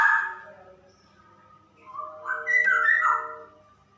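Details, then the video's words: Female straw-headed bulbul giving a 'ropel' song: an opening loud whistled flourish, a soft lull, then a rich run of liquid, descending whistles before it fades. "Burung Cucak Rowo Betina Super Ropel"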